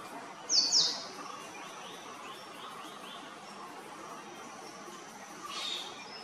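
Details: Male purple sunbird calling: two sharp, very high bright notes near the start, a faint run of softer descending chips, and another high note near the end, over steady background hiss.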